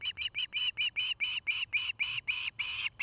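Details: Osprey at a nest near Charlo, Montana, on a nest camera, afternoon, dated 09-05-2018; a rapid, unbroken chain of shrill whistled chirps, roughly four a second, lengthening toward the end.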